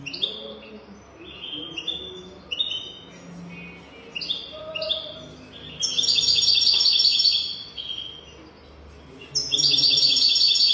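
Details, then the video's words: European goldfinch singing as a tutor for young goldfinches, praised as golden-throated: a run of repeated high twittering phrases, then two long, loud, buzzy rattling trills separated by sparse chirps. "تغريد رهيب طائر الحسون حنجورة دهبية لتعليم طيور الحسون"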